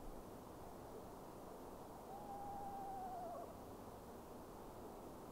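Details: An Eastern screech owl calls after dark, possibly seeking a spring mate, with another heard in the woods: a single level, quavering trill just over a second long, dipping at the end, over steady hiss.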